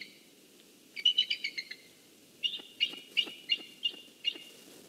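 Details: Pair of nesting eagles calling to each other one morning while they share and swap nest duties: a rapid burst of high, thin, piping chitters, then a spaced series of six sharper chirps, each roughly a third of a second apart.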